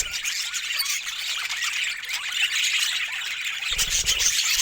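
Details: Budgerigars chattering in a dense, continuous flock, with high, scratchy squeaks and warbles overlapping rapidly throughout and a brief low rumble near the end.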